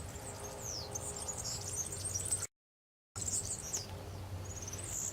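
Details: Wild European serin singing freely at Santo Tomás, Zamudio, Txorierri, Bizkaia, on 6 May 2018: high, thin, rapid jingling trills and squeaky sliding notes, a short gap midway, low hum beneath.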